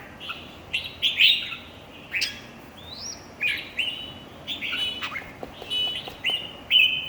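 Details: Red-whiskered bulbuls in a song contest: spaced bursts of bright whistled phrases, including a long rising-and-level note, interspersed with short chirps and clicks.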